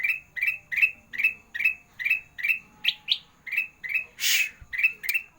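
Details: Energetic kutilang emas, sandang garigit style training song meant for reluctant singers: rapid run of bright, buzzy upslurred chirps, about two and a half per second, with a couple of higher variant notes and one brief burst of hiss.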